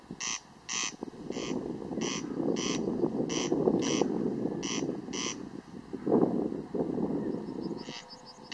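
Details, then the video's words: A corn crake gives its dry, rasping crex-crex call in steady pairs of harsh notes, about two per second, over a low rumbling background with possible frogs. "Derkacz - The corncrake (Crex Crex) - odgłosy/sounds"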